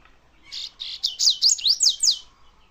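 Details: Double-collared seedeater singing a fast, bright phrase. It opens with a few buzzy high notes, then runs into repeated sharp up-and-down whistled sweeps that last about two seconds in a quiet setting.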